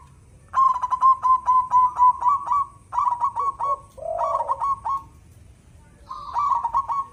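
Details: Zebra dove (perkutut) singing actively in a big voice: a rapid run of clipped cooing notes, then two shorter bubbling phrases, a pause, and another trilled phrase, over a low background rumble.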